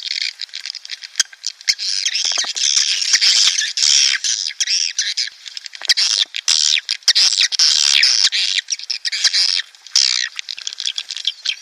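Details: Lure sound of swiftlets, used to attract colonies in breeding condition into a nest house: a continuous mass of shrill, chattering twitters and squeaky chirps, fast and unbroken for about twelve seconds.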